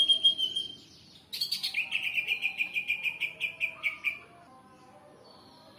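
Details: Greater green leafbird song used as a lure to make birds answer: a sharp high note, then a run of about twelve bright, evenly spaced chirps in a slightly falling series, ending in a brief thin whistle.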